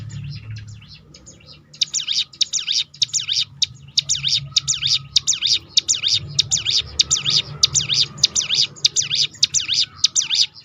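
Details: Ciblek gunung, or hill prinia, in 'roll tembakan' song used to coax other birds into song: after a soft start, a sustained rapid rattle of high, sharply modulated notes continues to the end over low-frequency noise.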